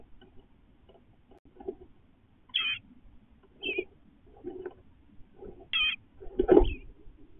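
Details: On fledging day, Eastern bluebird parents and babies call back and forth around the nest box: short, wavering high notes come three times, mixed with lower soft thumps and rustles.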